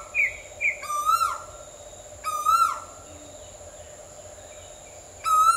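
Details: Asian koel calling: loud, ringing harmonic notes that rise and then slide down, given in three separate bursts a little over a second apart, with two short higher notes before the first. A steady low hum runs throughout.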